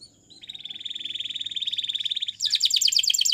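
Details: Canary training song with a level, pulsing trill of rapid beats that grows louder, then a sudden switch to a higher, choppier burst of quick sharp notes.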